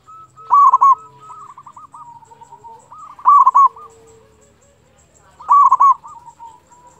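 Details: ['Singing local zebra dove meant to provoke silent doves into calling: three loud, stuttering coo phrases about every two and a half seconds, with lower drawn-out coos and softer dove calls filling the gaps.']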